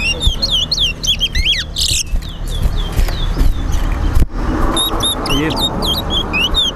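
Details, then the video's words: Towa towa, a chestnut-bellied seed finch, competing in a whistling contest held by a Linden, Guyana bird club: rapid strings of bright, sharply inflected whistles, a brief pause, then more clipped whistles, while people count aloud against crowd murmur. "TOWA TOWA BIRD WHISTLING COMPETITION"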